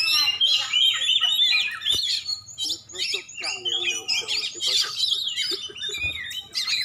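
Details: Lively song of a champion oriental magpie-robin from Aceh: rapid varied chirps, whistled slurs and twittering bursts in short phrases separated by brief gaps.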